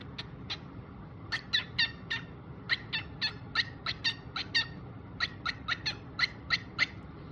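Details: A pet cockatiel playing peek-a-boo gives quick bursts of short, scratchy chirps, several close together.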